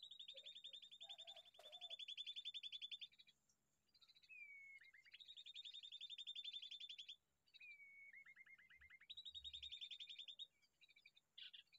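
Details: A bulbul chick repeats bouts of fast, high, even chirping lasting a few seconds each, separated by short falling whistled notes and brief quiet gaps.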